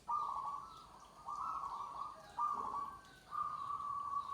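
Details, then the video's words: Zebra dove (perkutut joglo) song: four smooth, level cooing phrases, each about a second long and separated by short pauses, clear over quiet rural background noise. "suara perkutut joglo"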